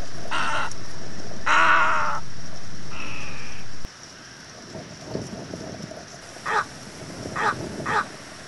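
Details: Little egret uttering a series of rasping croaks, one long and gargling, then after a quieter pause three short harsh calls spaced about a second apart.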